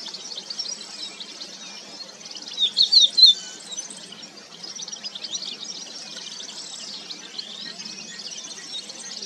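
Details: Three or four loud, clear whistled notes from a crested lark in quick succession, standing out from a continuous, hissing wash of distant bird chatter.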